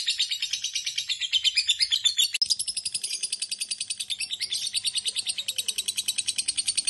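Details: Long ngekek chatter from a lovebird, a dense rattle of shrill pulses that breaks off with a brief click near the middle, then resumes even faster and steadier to the end.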